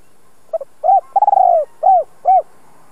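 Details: Spotted dove decoy, praised for a good two-ending voice: single phrase of a clipped double note, an arched coo, a long rolling coo falling in pitch, and two final rounded coos.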